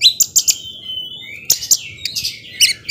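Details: Oriental magpie-robin in 'gacor' song used to provoke other magpie-robins: high sharp chips and a long thin whistle, then a second burst of bright chips and slurred notes.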